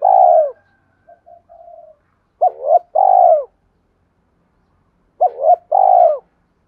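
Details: Spotted dove cooing to rouse decoy birds in training: a falling coo, soft quiet notes, then two phrases each pairing a wavering double coo with a long drooping coo, separated by silence.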